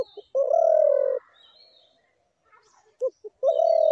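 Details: A spotted dove gives a soft hoarse note, then a sustained smooth coo near one second. After a quiet gap, two quick clipped notes start the next phrase into another drawn-out coo. Faint twittering birds are behind it.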